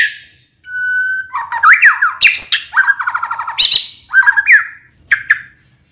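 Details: Training song of a white-rumped shama from Indonesia: after a short pause, a long pure whistle gives way to rising and falling slurs, fast rattling trills and sharp high chips, strong and close.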